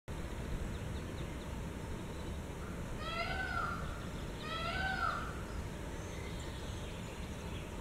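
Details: A white (leucistic) Indian peafowl gives two loud, nasal, cat-like wailing calls about a second apart, each rising then falling, over a steady low rumble of wind or distant noise.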